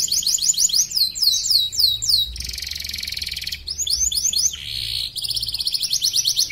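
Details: Caged contest canary from West Kalimantan, Indonesia, performing in an online singing competition: quick descending trill series broken by two harsh buzzing rolls, then a fast, tightly repeated chattering trill.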